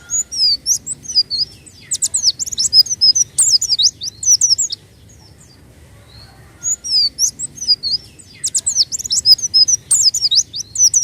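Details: Lure song of a white-eye: dense bursts of sharp, very high chirps and twitters lasting a few seconds each, separated by a near-silent pause of about two seconds, repeating in a steady pattern.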